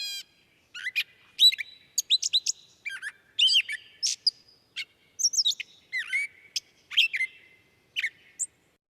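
A Gray Catbird sings a jumbled run of squeaky, mewing and chattering phrases, each note given once before switching to a new one, with no other sounds.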